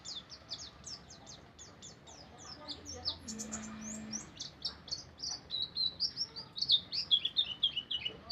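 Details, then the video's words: White-eye in rapid 'ngeriwik' style chattering: a dense stream of short, high, sharp chirps and tweets that grows louder and busier toward the end, with faint human speech in the background. "burung pleci ngeriwik"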